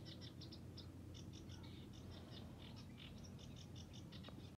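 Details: Sedge warbler still in song among the reeds at Hörningsholm, Alnö, Sweden, July 2021: a steady stream of quick scratchy chirps and chatters, faint and distant, with a loud low rumbling noise throughout.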